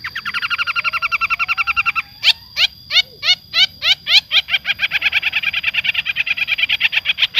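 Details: Long-tailed shrike from Java in full fill-laden song: a fast, even, buzzing trill, then louder separate downward-slurred notes, then a rapid pulsing trill again, with a steady high tone behind.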